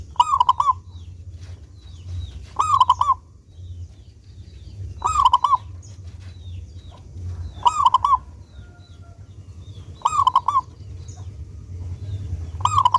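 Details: Local zebra dove in active, clear-voiced song, used as a lure for doves to sing: six short cooing phrases of three or four notes, repeated about every two and a half seconds, with faint bird chirps between.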